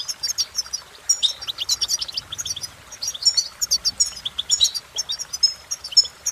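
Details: Goldfinch song rendered as busy, energetic twittering, with high piping notes, buzzy trills and quick chirps running together almost without break.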